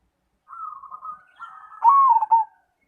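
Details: Single song phrase from a Cemani zebra dove: gentle rolling trill, brief pause, then a building purr ending in a loud, wavering coo.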